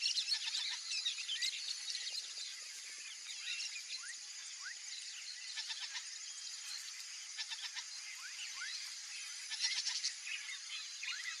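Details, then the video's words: A free-ranging pair of yellow-rumped marshbirds (Pseudoleistes guirahuro) in a Brazilian marsh. They give a busy mix of high chattering notes, rising whistles and short buzzy trills over a constant high hiss of insects. "Couple Yellow-rumped Marshbird – Sounds of the Swamp"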